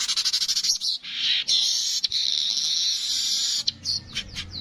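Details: Streaked weaver song opens with a quick series of clicks. A long, harsh, wheezy buzz follows, then a few short squeaky notes trail off.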